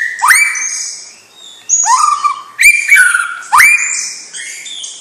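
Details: White-rumped shama, young and from champion stock, sings three loud phrases, each opening with a steep rising whistle that levels off, with bright high overtones and crisp clicks between phrases.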